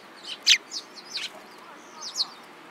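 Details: Sparrows giving short, high chirps and cheeps, a few scattered notes with one louder sharp chirp near the start, in a quiet setting.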